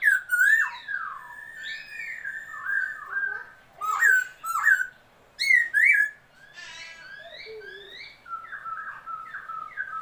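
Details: Laughingthrush, a newly acquired bird, February 2022, mixing rich warbled whistles with repeated sharp, harsh squawking notes, ending in softer wavering whistled phrases.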